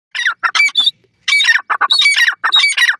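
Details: Grey francolin, locally called irani gora teetar, giving loud harsh squawking notes in rapid bursts, grouped phrases of several strident syllables separated by short pauses, with sharp high whistled accents.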